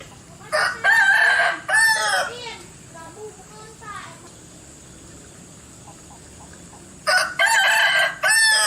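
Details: Strange-sounding crow of a Bangkok chicken: a rough, broken, multi-part call at the start, soft human voices in the quiet middle, then another loud harsh crow at the end.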